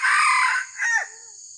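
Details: A red junglefowl crows during trapping of wild junglefowl: a loud, rough first part and a shorter harsh second part that drops in pitch and trails away, against a continuous high insect whine.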